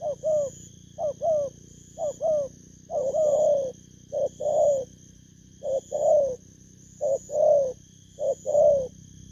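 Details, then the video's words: Spotted dove, a newly wild-caught caged bird, recorded 19 August 2024 in Vietnam. Low hoarse coos come in short double notes followed by longer rolling coos, repeated about once a second, with a steady high electronic whine behind. "Kèo Thu phục Thổ cấn Bầu"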